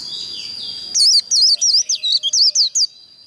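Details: White-eye 'líu' contest song, played to provoke birds into singing in competitions: after a second of faint background hiss, a quick burst of about nine high, curling whistled notes follows in close succession, then silence.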